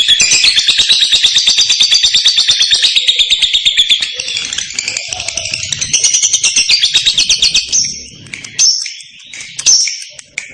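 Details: A lovebird delivers a long ngekek trill, the clear extended chatter said to make other lovebirds respond: about eight seconds of rapid, high, buzzy pulses that fade, followed by a few sharp separate chirps.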